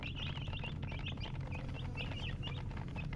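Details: Baby chicken chicks chirping: many high peeps overlap in quick succession, rising and falling slightly, over a steady low hum and scattered soft tapping.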